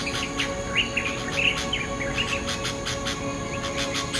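A bulbul gives short, bubbly chirped notes every half second or so, over a steady background hum and scattered clicking sounds.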